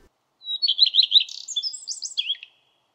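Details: Song of a Common redstart: a pure opening whistle leads into repeated wavering notes, then a high, scratchy and tinkling mixed ending with a falling final note. No background noise.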